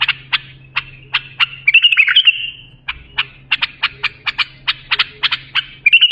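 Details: Bulbul song chosen to tutor young bulbuls: sharp repeated notes leading into a rippling warble, then a long, brisk series of crisp chips ending on a short flourish; low hum audible.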